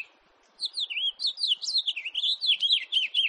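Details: Fast, continuous warble from a house finch, after a brief quiet start: a lively run of high, slurred notes that swoop up and down in quick succession without pause to the end.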